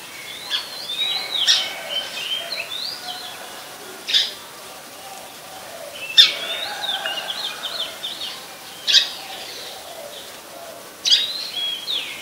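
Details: Very common resident Oriental magpie-robin singing at Ubon Ratchathani, Thailand, on 26 December 2020; a rich run of twittering, warbled whistles broken by loud sharp high notes every two to three seconds.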